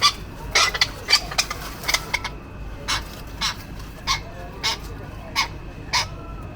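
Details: Male tropicbirds fighting over mating rights and defending mate and nest area give harsh, rasping screeches in short, uneven bursts, crowded at first and then about a second apart, over a steady background hiss.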